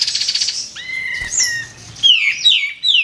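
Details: White-eared bulbul recorded as a master track for contest birds: a fast buzzy trill, then steady whistled tones with a brief wing flutter, ending in bright descending slurred whistles.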